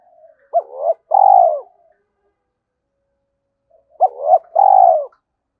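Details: Spotted dove used as a decoy gives two matching phrases about three seconds apart. Each holds a quick upturned hoot, a swelling note and a long buzzy purr that droops at the end.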